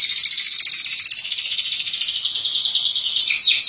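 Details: Canary, kept regularly sunned and fed vitamins, singing in the clear 'gecor' style: one unbroken, fast, rolling trill held high and steady for nearly four seconds, dipping slightly near the end, with no other sounds.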